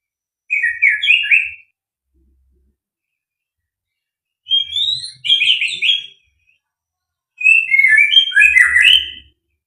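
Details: White-rumped shama of fighter type singing: three separate bursts of rich, fast warbled and whistled phrases with quick up-and-down sweeps, each about a second long, separated by silent gaps, growing busier toward the end.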